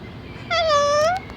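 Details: Talking parrot at Manila Zoo, Philippines, recorded 2 March 2017, utters a single drawn-out tonal, voice-like note under a second long that dips slightly then rises, over a steady low background murmur.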